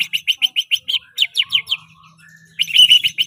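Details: White-rumped shama delivering lavish song fill: a rhythmic string of sharp chipping notes about eight per second, a short pause with soft low whistles, then a dense burst of bright chatter.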